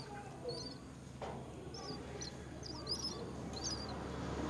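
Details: Myna chicks being fed at the nest by their mother. Short, high, twittering chirps come in small irregular clusters over a steady low background hum.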